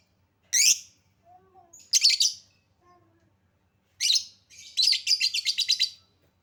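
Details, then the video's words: Lovebird lure meant to make lovebirds sing: two piercing squeaks with faint lower notes between, then a screechy call leading into a rapid, pulsing high chatter lasting over a second. "Lovebird Susah bunyi Pancing Dengan Suara pancingan Lovebird ini"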